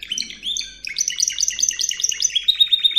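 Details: Spanish Timbrado canary singing on a training recording for canaries: dense, rapid high trills and clipped notes, shifting quickly between phrases with bell-like, ringing tones.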